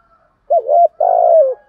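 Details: Spotted dove full song mixing calling, urging and cooing: an undulating short coo and then a long, level, vibrating coo ending in a downward slide, with a quiet background.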